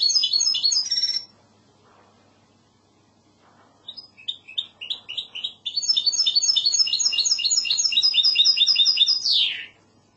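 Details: Goldfinch hybrid (mixto) singing in classic Andalusian style: a short bright burst, a pause, staccato chirps, then a long rapid high trill closing with a downward-sweeping slurred note.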